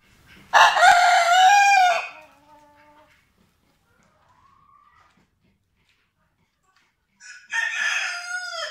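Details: A Vorwerk rooster of the German breed, kept with hens, gives a loud, harsh crowing burst lasting over a second, falls quiet, then starts another strident crow near the end.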